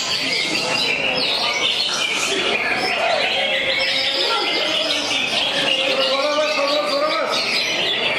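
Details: Competition-style jangkrik balap singing by a greater green leafbird: unbroken, fast, high chatter of looping sweeps and cricket-like trills, with some lower warbled notes and constant background noise.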